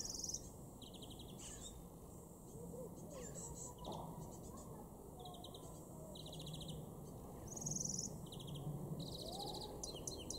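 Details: European greenfinch in a garden in Weener, East Frisia, northwestern Germany, in June: short buzzy trilled bursts repeated every second or so, high-pitched, with other bird chirps and steady low background rumble.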